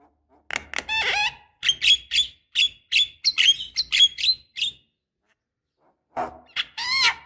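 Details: Javan myna calling as a lure to get young birds singing, a steady series of harsh, nasal chattering notes roughly every third of a second, a pause, then more rough squawks.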